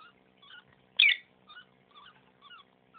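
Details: Female pet lovebird making unusual sounds for several days while acting strangely: soft, faint chirping clicks about every half second, with one sudden louder squeaky call, over a steady low indoor hum.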